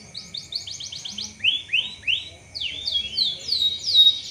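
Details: Canary singing as a prompt to get other canaries singing: tours of quick high chirps, then slower rising and falling swept whistles repeated about three times a second, clear against a quiet background.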